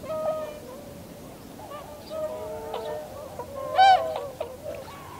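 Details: Tundra swans in a winter flock, 7 February 2015, landing and flying off; a chorus of drawn-out nasal honks overlapping, with one louder rising-falling call near the end.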